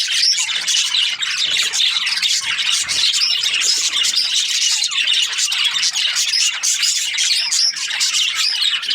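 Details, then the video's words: Steady chatter from Australian budgies: many overlapping high, fast warbling chirps and squeaky twitters that run without pause throughout. "Australian budgies chirping sound"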